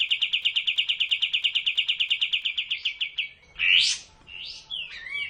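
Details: Caged-bird training song of a sooty-headed bulbul: a quick regular string of sharp notes slowing toward its end, followed by loud harsh upswept buzzes and a wavering whistle.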